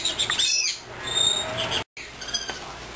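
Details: Seven-week-old military macaw chicks, just starting to talk and play, give harsh, raspy squawks and scratchy chatter in quick bursts, with a short silence partway through.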